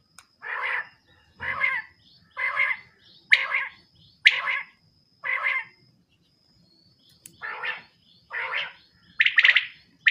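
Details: Female coturnix quail, known locally as batari, calling: harsh, noisy, buzzy bursts about half a second long, repeated roughly once a second with short silent gaps, the last few louder and more crowded; otherwise quiet background.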